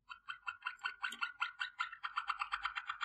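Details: Waterslager canary singing, a training song: a quiet run of short knocking notes with harmonics, repeated about every fifth of a second throughout, growing slightly faster toward the end.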